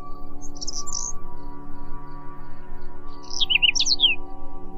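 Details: A Whinchat delivers two short song bursts, first a dry buzzy chatter, then after a pause a jumble of sharp chirps and falling whistled notes, while a quiet low ambient music drone runs throughout.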